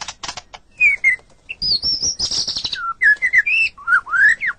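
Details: White-rumped shama song used as a master recording for training captive songbirds: varied clear whistled phrases, some rising and falling slurs, high thin notes and short buzzy bursts, delivered in quick succession.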